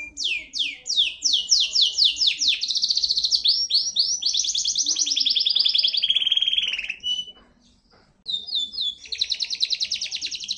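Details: Local island canary singing a long, varied song: rapid repeated swept notes running into a dense rolling trill, a short pause, then resuming with a fast high trill.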